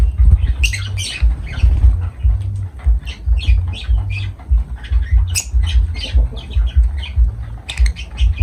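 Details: Lovebirds, kept as pet parrots, calling with repeated piercing, scratchy chirps and squeaks spread throughout, over an ongoing low rhythmic thumping background.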